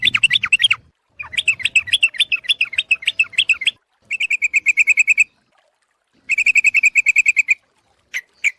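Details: Lure call of a sooty-headed bulbul: lively, wavering chatter, then long, even trains of sharp chirps about eight per second, with short silent gaps between runs.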